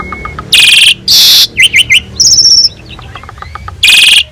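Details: Asian pied starling in full song, master recording meant as vocal tutor for other birds: harsh rasping bursts alternate with quick wavy whistles, a buzzy trill, soft faint whistles, and a final loud scratchy phrase.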